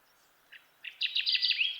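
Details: Kirtland's warbler, also called jack pine warbler, gives a short, loud song: two or three soft introductory chips, then a rapid, bubbling string of bright, ringing notes rising in strength.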